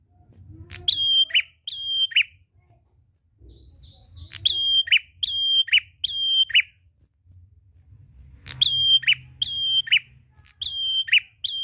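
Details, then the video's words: Prinia in full, lively song, used to lure other birds into singing: loud repeated phrases, each a flat whistled note followed by a sharp downward chip, delivered in bursts with short pauses, over a faint low hum. "Prenjak gacor ngalun ampuh pancing bunyi burung ngetem"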